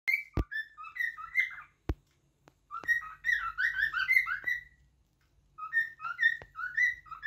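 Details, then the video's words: A cockatiel sings a run of clear, warbling whistles that rise and fall, in three bursts separated by short pauses, with a few sharp clicks between. "غناء طائر الكوكتيل"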